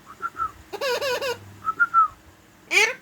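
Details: Pet parrot saying its own name: soft whistled notes, then a wavy, harmonic, voice-like phrase of about three syllables, more short whistles, and a final rising nasal call.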